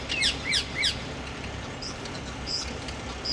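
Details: A small flock of rose-ringed parakeets in a tree at London Wetland Centre, Barnes, south London, in February 2012: three loud, harsh screeches in quick succession, then thinner, higher calls further off, over distant traffic hum.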